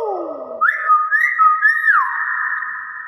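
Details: Hill myna, a chattering pet bird, mimicking human speech with clear whistled tones: a low steady note, then rising and gliding whistles near two kilohertz, ending in a long held whistle; a person speaks just before and after.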